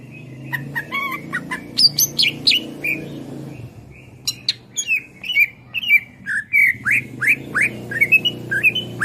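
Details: Greater green leafbird (cucak ijo) singing as a master for other songbirds: long varied sequence of clipped chatter and repeated downslurred whistles, over a low rumbling background.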